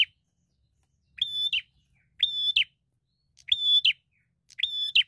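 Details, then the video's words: Bar-winged prinia, an eager singing fighter looking for a rival, gives four strong buzzy level notes. Each ends in a short drop and they come about a second apart. Soft low knocks sound in the background. "Prenjak Gacor Fighter Cari Lawan"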